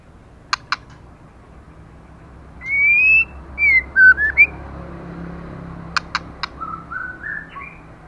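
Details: Moulting, nearly bald female white-rumped shama singing with snapping 'tạch' clicks: two sharp clicks, a rising whistle with fast varied notes, three more clicks, then a string of soft lower warbled notes.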